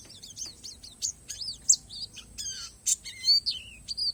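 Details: Palas Borneo Oriental white-eye delivering a varied natural-fill song: quick high chirps followed by longer wavering, stacked whistles and slurred phrases that drop then level off.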